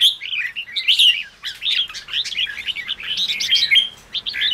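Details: Red-whiskered bulbul in fired-up chattering song, used to spur newly caught birds: dense run of short bright whistled and chirped notes, many rising and falling, strongest in the first second and steady to the end.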